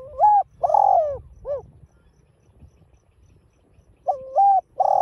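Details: Spotted dove cooing in the mixed field voice, used to excite and train a caged bird. A full three-note hollow phrase, silence of over two seconds, then a new phrase starts with a level and a sliding coo.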